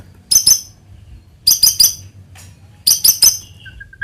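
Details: White-rumped shama lure song heard as three clusters of sharp, very high chipping notes, each a quick triplet, spaced about 1.3 seconds apart, ending with a few soft low whistles.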